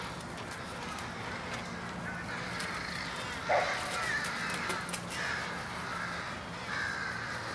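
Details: Evening pre-roost gathering of American crows in Coles County, Illinois, USA, January 2015: rough caws from a large flock blend into a steady chorus, one louder nearby call standing out midway.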